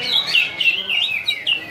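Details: Greater green leafbird, a champion from a songbird contest, sings a loud, rapid warble of sliding, high whistled notes, phrases tumbling one after another with hardly a pause.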